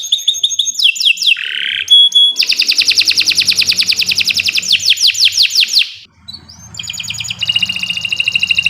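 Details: Training song of a canary for birds that have gone quiet: a rapid buzzy trill lasting several seconds, bursts of sweeping notes, a brief pause, then high whistled phrases and renewed fast trilling.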